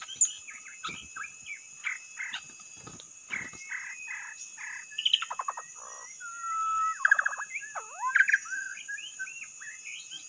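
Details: White-rumped shama lure song: short repeated notes in the first half, then louder ringing buzzy bursts, a long level whistle, and a deep down-swooping slur among varied phrases.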